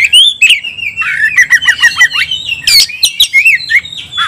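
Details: Oriental magpie-robin song used to provoke other birds into fighting: a rapid run of varied, slurred, whistled phrases mixed with sharp chips and a few harsh notes.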